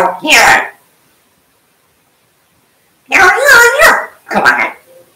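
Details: African grey parrot imitating speech indoors: a short word, a long pause, then a lively harmonic phrase and a final clipped syllable.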